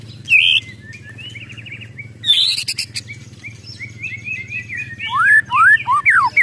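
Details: Agitated White-rumped shama ketrekan: a sharp high note, soft buzzy phrases, then a harsh rattling burst, ending in a quick run of loud descending whistled slurs.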